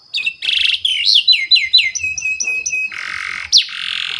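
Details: Lure song of a canary for training juvenile canaries; varied phrases of short chips, looping whistled slurs and a run of descending notes, then harsh buzzy stretches near the end.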